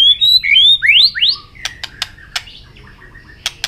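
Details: Contest-singing white-rumped shama flicking its tail: a few bright upslurred whistles, then sharp dry clicks and a soft low chattering run, with quiet pauses.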